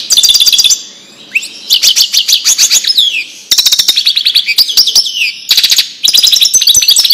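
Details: Wedani European goldfinch song recorded to teach chicks and hybrids: several fast, crisp twittering phrases with upslurred whistles and buzzy trills, separated by brief pauses.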